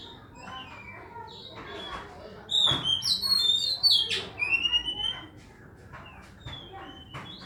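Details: Oriental magpie-robin singing: a burst of loud, clear whistled notes, some sliding and some short and sharp, delivered in a rapid varied run over about two seconds, then quieter scattered chirps over a soft background hiss.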